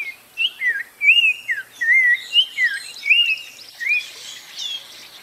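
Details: Spot-breasted oriole song, a string of rich, wavering whistled notes, each rolling up and down, given in quick succession with short gaps, over faint high chattering from other birds in the background.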